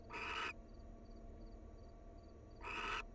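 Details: At the nest, a wild barn owl of a bonded pair gives rasping, breathy screeches, one near the start and another about two and a half seconds later, with quiet hum between.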